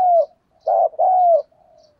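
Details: Decoy spotted dove cooing to lure wild birds, in the 'thổ' voice style; a trailing low coo, then a short note and a longer downward-slurred note, soft and hollow, ending in a faint murmur.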